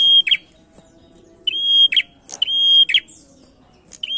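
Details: Prinia, a male used as a lure to make other birds sing, delivering rapid phrases of a pure sustained whistle capped by a harsh buzz, four of them in just over four seconds.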